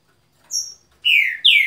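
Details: Green-winged Saltator, trinca boi song style: a thin high whistle followed by two strong, clear downward-sliding whistled notes in quick succession, with no background noise.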